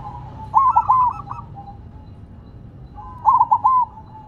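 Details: Zebra dove of the silver perkutut sort singing while placed on the ground, two loud phrases of three rapid hooked coos about three seconds apart, with faint cooing in between.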